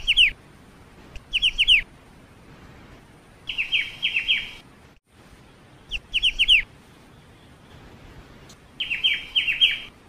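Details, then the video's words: High, bright phrases from a black-winged starling, each a quick run of sharp downslurred whistled notes lasting under a second, repeated several times with silent gaps between. "BURUNG CIU // MASTERAN KICAU BURUNG CIU."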